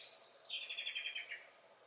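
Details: Garden blackbird on 23 May 2021 delivers a short, loud, high twittering phrase that starts very high and steps down into a stuttering series of squeaky notes before fading.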